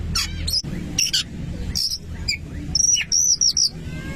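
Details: Oriental magpie-robin singing to provoke a rival magpie-robin: quick clusters of piercing whistled notes and chirps, several sustained high whistles near the end, with a low hum underneath.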